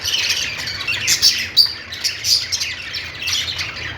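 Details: Budgies sounding happy, giving quick bright tweets and scratchy squawks in bursts, sharp accents around one and a half and two and a half seconds, a faint low hum underneath.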